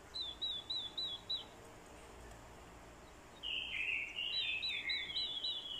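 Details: Orange-headed thrush decoy in fighting song, spurred by a female's call. Six even repeated whistled notes, a pause of two seconds, then a loud run of warbled phrases over steady background hiss.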